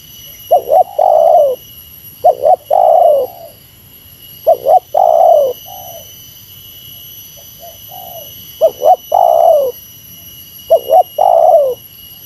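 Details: Spotted dove giving the meratus-style lure call against a rival: two short clipped notes, then a long falling coo, repeated four times over twelve seconds, with softer, shorter coos in between and a faint steady high hum.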